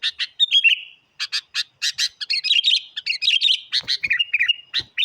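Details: Sooty-headed bulbul singing energetically as a lure to challenge wild birds; quick sharp chirps give way to a dense bubbly warble of rising and falling notes, then a few short whistles close the phrase.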